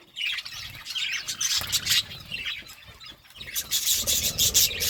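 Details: Parakeets eating fruit, uttering fast, wavering high chirps in a lively run, then a noisy burst of broadband crackling and scraping from feeding.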